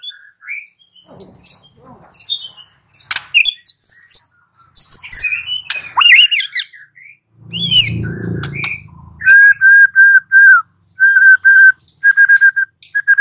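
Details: White-rumped shama song used as a lure to provoke a bird into singing: scattered sharp chips and varied notes, a low rough burst, then a steady series of clear level whistles in quick runs.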